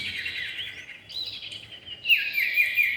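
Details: Common iora pair, male and female, lure recording: a continuous high buzzy trill, breaking into bright rapid chirps and short sharp whistled notes in the final second.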